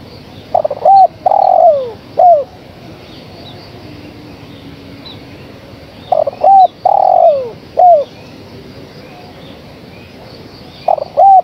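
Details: A female spotted dove calls to the male with two complete phrases about five seconds apart. Each has paired short coos, a long descending coo and a trailing brief note. A third phrase starts as the clip ends.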